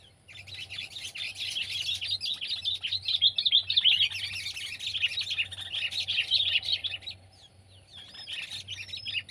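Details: Sooty-headed bulbul, locally kutilang, Pycnonotus aurigaster, Indonesia, in a comparison of pet and wild birds: nearly continuous busy twittering, dense high chirps tumbling over one another for seven seconds, then fading to a few thin rising whistles.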